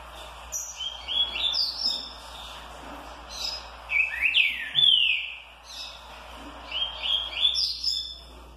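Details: Green-winged saltator (trinca-ferro) giving a warm-up song in the "curricurril liso" style: bright whistled phrases of sweeping rising and falling notes in quick bursts, over a steady background hiss.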